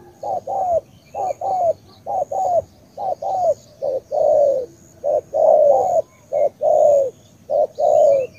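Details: Spotted dove from Cà Mau, Vietnam, delivering a run of soft, hollow coos grouped in twos and threes, short clipped notes followed by drawn-out slurred ones, about one phrase per second, over a faint high-pitched whine.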